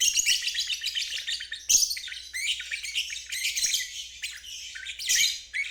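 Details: Lovebird singing in the ngeriwik style, played as therapy for stalled birds and young birds learning to sing; dense, high buzzy chattering trills in bursts of one to two seconds with short breaks, over a faint low hum.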